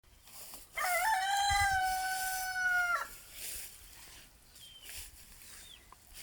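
A rooster gives one loud, harmonic crow lasting about two seconds, rising then held before breaking off, followed by a few faint high bird chirps.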